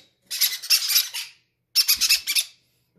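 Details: Baby parrots, greedy and healthy, each wanting to be fed first: two bursts of harsh, raspy, high squawking, each over half a second long, pulsing in quick stutters.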